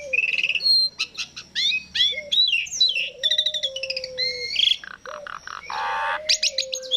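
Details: Asian pied starling song used as a lure: fast mix of rasping chatter, clicks and clear whistles, some rising, some level, over a low sustained tone, with short pauses between phrases.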